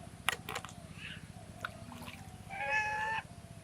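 A swan gives a few brief squeaky notes, then one longer nasal, slightly wavering call lasting under a second, over a steady low hum.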